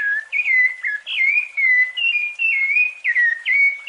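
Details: A rufous-bellied thrush sings its fluty song, used as a tutor recording for young birds: clear whistled phrases of short notes sliding up then levelling, about twice a second, against a quiet background.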